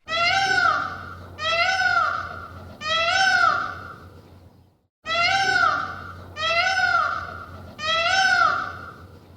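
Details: Peacock (Indian peafowl) giving loud, nasal, wailing cries, three in a quick series, a pause, then three more; each cry swells and falls, cat-like in tone.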